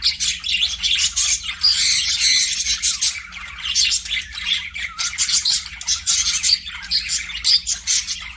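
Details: Continuous chirping from pet budgerigars in an aviary: rapid scratchy twitters and bright squeaks overlap in a steady busy chatter, pulsing louder and softer every second or so.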